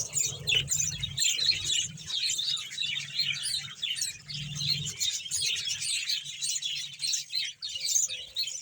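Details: Around one hundred captive budgerigars in a breeding colony at Bahawalpur, Pakistan, chattering together: a steady mass of high twittering and warbled chirps, unbroken throughout, with a faint low hum beneath.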